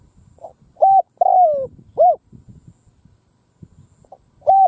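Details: Spotted dove decoy calling out in a field to draw wild birds: a full phrase of short hoot, long falling coo and hoot, then scattered low rustling and the start of another hoot.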